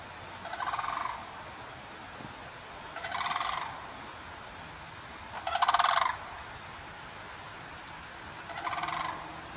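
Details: A pair of Sandhill Cranes near London, Ontario, Canada, on the afternoon of October 6, 2024, call loudly with four rolling, trumpeting rattles, each under a second, about every two and a half seconds, over a steady hiss.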